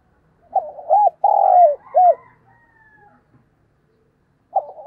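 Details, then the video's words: Spotted dove, a decoy bird calling in the morning: a low cooing phrase of two short notes, a longer drawn-out falling coo and a final short coo, then quiet before the phrase begins again. "Tiếng Chim Cu Mồi Gáy Gọi Vào Buổi Sáng"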